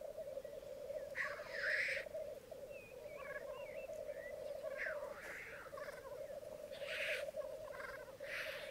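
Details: Black grouse lek on a bog at Mykland, Norway, one morning in May 2022, with 12 males and two females: a steady, low bubbling chorus of rookooing males, broken every second or two by harsh, sneezing hisses.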